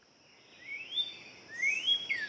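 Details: A Northern Cardinal in Central Park, Manhattan, New York, sings two loud, clear upslurred whistles, then starts a falling slur, over a steady high insect drone.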